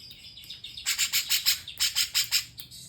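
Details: Short song with a quiet lead-in, then two quick bursts of loud, raspy, high chattering notes in a rapid series, reminiscent of cucak jenggot.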